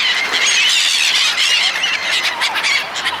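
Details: Crowd of seagulls being fed by people, giving a steady wall of shrill, squealing cries from many birds at once, with rapid overlapping notes and no pauses.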